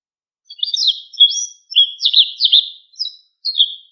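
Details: Wild White wagtail twittering: a quick run of bright, high chirps with rising and falling slurs, grouped in bursts roughly every half second, against a quiet background.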